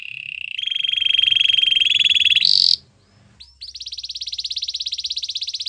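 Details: Belgian canary in song, giving a long steady buzzy trill that climbs at the end, a brief break with a soft upward slur, then a loud, very rapid high rolling trill held for several seconds.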